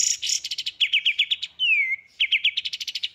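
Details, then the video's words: Songbird in a masteran training recording: steady rapid trill of chirped notes, broken by one long down-slurring whistle, then the fast trill resumes. "masteran full tembakan istimewa"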